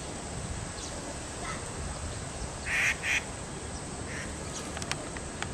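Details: Grey treepie in 228 Peace Memorial Park, Taipei, giving two quick, harsh, nasal notes in succession against a steady hiss of background noise, with faint distant sounds.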